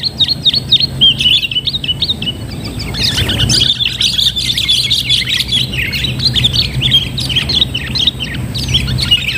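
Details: During a bird-trapping session, Sooty-headed bulbuls give a busy stream of bubbly, chirping whistled notes from several overlapping birds, with a brief flurry of scuffling noise and a faint low hum.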